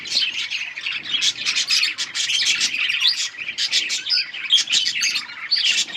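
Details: Feeding-time budgerigars with chicks give fast, bright chirps and twitters, many birds at once, with a few clear whistled notes poking above the chatter.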